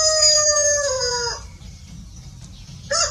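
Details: Farm rooster finishing a crow with a long level tone that drops slightly before cutting off, a quiet gap, then the harsh start of another crow.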